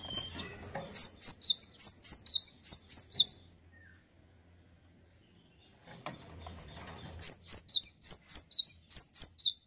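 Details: Male cinereous tit (gelatik batu) singing persistently: bursts of clear, sharp two-note whistles that alternate high and lower, about four notes a second. Two phrases are split by a silent gap, with faint low rustling between.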